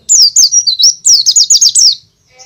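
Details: White-eye sings loudly in forest style, a recording meant to lure untrained birds: high, looping whistles that rise and fall in quick succession, roughly twelve notes in two seconds, then stopping.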